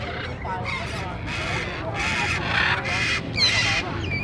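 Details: Parrot screaming very loudly at the Asiatique riverfront in Bangkok, Thailand, while people take photos with the birds: a run of harsh, broad squawks in bursts about half a second apart, over crowd chatter.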